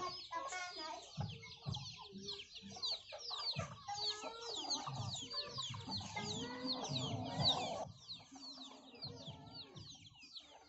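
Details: Flock of hens and numerous chicks eating young rice from farmers; dense high chick peeping over irregular soft hen clucks and murmurs, with a short rise in calling near the end.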